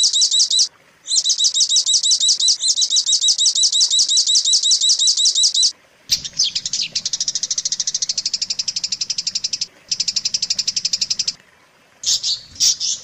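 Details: Long-tailed shrike tutor song, used to train caged shrikes to sing: very high, rapid chattering notes in two long unbroken bursts, then a dense buzzy series broken by short pauses.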